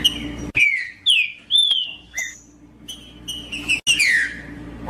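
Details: Caged green-winged saltator singing to warm up another caged bird: loud clear whistled phrases sliding downward, separated by short pauses, with a faint steady hum underneath.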